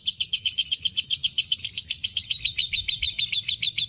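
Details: Fighter lovebird in breeding condition giving the long ngekek chatter: a fast, even series of harsh rasping notes, about four per second, continuing without a break.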